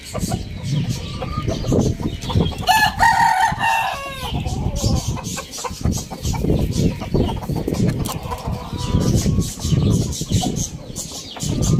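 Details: Rooster crowing in the morning in a farm village: one loud, drawn-out harmonic crow of about one and a half seconds, surrounded by steady clucking from the flock, a low rumbling background and scattered high chirps from small birds.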